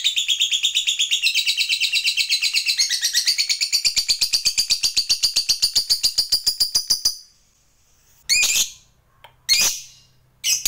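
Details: Lovebird used to stimulate other lovebirds to sing, giving a fast high chattering trill for about seven seconds before it stops, followed by three short harsh squawks with quiet gaps.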